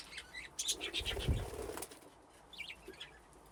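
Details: Budgerigars in an aviary: a flurry of flapping wings with quick high chirps above, then a few thin warbled notes.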